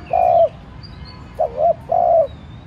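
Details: Cooing decoy spotted dove meant to trigger calling in other doves: a long level coo, then a short rising double note and another long coo; faint distant chirps.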